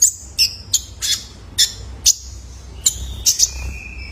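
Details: Juvenile male Ruby-cheeked Sunbird (kolibri ninja), used as a lure call for training cage birds: sharp high chirps scattered across four seconds, separated by quiet gaps, with a short thin whistle near the end.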